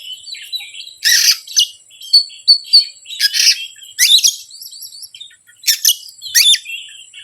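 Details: Oriental magpie-robin provoking song for hesitant birds, with dense harsh rasps alternating with bright whistled notes and short warbled phrases, high-pitched throughout.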